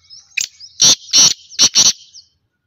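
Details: Black francolin call: a short series of harsh, buzzy, broadband notes, four loud bursts after a thin introductory note, ending abruptly.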